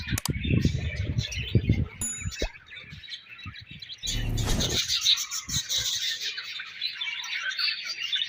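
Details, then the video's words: Budgerigar colony chirping, a dense overlapping chatter of many birds with high warbled and buzzy notes, joined by low thumps and knocks during the first two seconds and a burst of rustling around the fourth second. "Budgies Colony Chirping Sounds"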